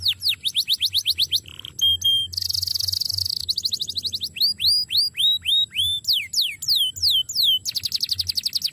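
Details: Canary delivering a tutor song for training other birds: rapid high trills, a short lower whistle, a harsh rattling burst, then a series of clear downslurred whistles and fast repeated sweeps in varied phrases.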